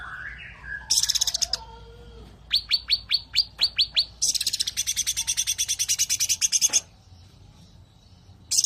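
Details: Sooty-headed bulbul singing in the "tembakan rapat" (close-fire) style: soft rising whistles, then a row of sharp separate strokes, then a long fast buzzy rattle lasting about two and a half seconds, ending abruptly.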